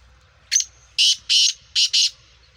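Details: Captive black francolin, a Sindhi kala teetar of the Gangas and Sheedi cross line, gives a nasal-voiced call: one short lead note, then four loud, harsh, grating bursts in quick succession over a faint low hum.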